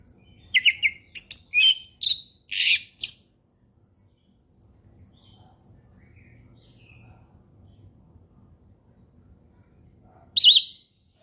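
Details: Orange-headed thrush, ngeplong song style sung calmly as a lure for learning birds: a quick series of sharp whistled and chirping notes over about three seconds, a long quiet gap with faint chirps, then one last loud note.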